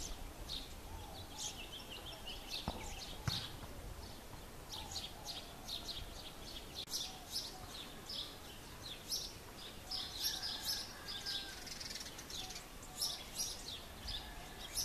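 Bushtits give thin, high, buzzy twitters and chips, many short notes scattered through the clip over a steady background hiss.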